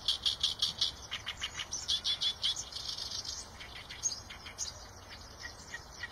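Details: Eurasian tree sparrow chattering: a loud, fast series of bright chirps for the first two and a half seconds, then softer, sparser chirps, with steady low background hiss.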